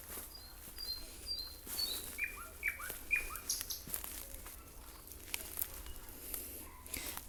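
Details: A nightingale sings on a cold spring evening around 19:52 by fields and gardens in rural Ukraine, with loud, clear whistled phrases and quick repeated slurred notes in varied bursts over a soft background hum.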